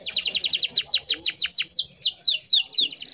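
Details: Female canary singing to entice a male, used to train other birds: a steady run of bright, high, falling whistled notes, roughly two per second, continuing after a brief pause.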